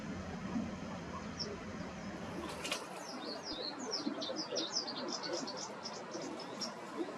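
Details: White wagtail calling: a run of short, high, sharply down-slurred chirps packed closely over several seconds, following a brief burst of wing flapping. A low background hum sits underneath.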